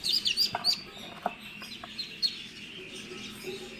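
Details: Muscovy ducklings newly hatched in an incubator after 28 days; high, thin peeps in quick irregular bursts, loudest at the start, with faint clicks and soft background hum.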